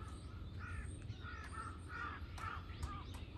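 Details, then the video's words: On 21 October 2023 three crows mob a hawk, giving rapid, rasping caws roughly twice a second, each a short harsh bark, with a low droning background underneath. "3 crows vs hawk ,カラス,까마귀"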